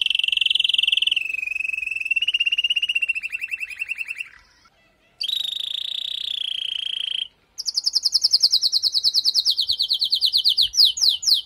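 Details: Female canary calling to prepare and stimulate a male after moulting: long high rattling rolls broken by short silences, followed by rapid repeated downslurred whistles.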